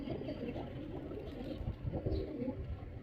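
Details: Male pigeon performing, giving low, throaty cooing that rolls on in steady murmuring phrases over a constant background hum, with a brief higher squeak near the end.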